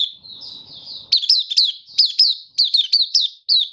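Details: Caged Malaysian Oriental white-eye in minor moult, a Kitaro line bird still building form, recorded 24 August 2023: soft twittering notes, then loud bright chirped phrases in quick repeated bursts, high and sweet.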